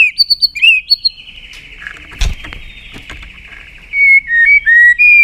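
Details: White-rumped shama singing many-voiced phrases to rouse other birds: quick bright whistled notes, a long steady buzzy whistle with a brief knock in the middle, then a run of clear falling whistles.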